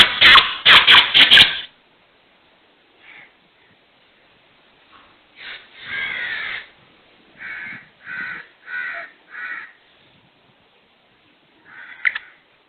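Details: Black francolin, known locally as kala teeter, with a call rendered as "subkhan teri qutrat": harsh grating bursts open the sequence, then rasping notes in a run of four about half a second apart, and a final scratchy note.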